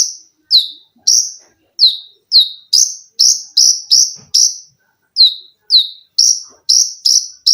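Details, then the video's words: Olive-backed sunbird (konin) in lively song, a cage-bird training recording of rapid 'tembakan' shots, sewing-machine, shrill 'lengkingan' and 'besetan' phrases. Very high, sharp, downward-sweeping notes repeat about twice a second, with a short pause near the middle. No other clear sounds. "KONIN GACOR FULL TEMBAKAN RAPAT!!!MESIN JAHIT,LENGKINGAN DAN BESETAN."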